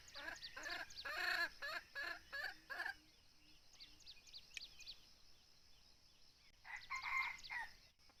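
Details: Red junglefowl crow during hunting with a decoy bird; a loud series of rapid, raspy pulsed notes for about three seconds, a quiet gap with thin high chirps, then another shorter harsh burst.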